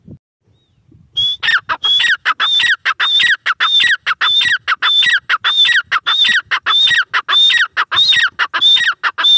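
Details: Grey francolin, or teetar, starting after a brief quiet moment into a long, insistent series of piercing two-part notes, high then falling, repeated in a steady fast rhythm.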